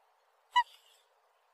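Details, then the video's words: A black swan gives a single short, bugling note, musical and rich in overtones, trailing into a faint buzzy fade; otherwise quiet. "Голоса птиц: чёрный лебедь"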